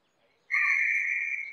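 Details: Harris's hawk, a bird of prey of sparse woodland and semi-desert: a single sustained, slightly harsh scream lasting about a second, steady in pitch, with no other sounds.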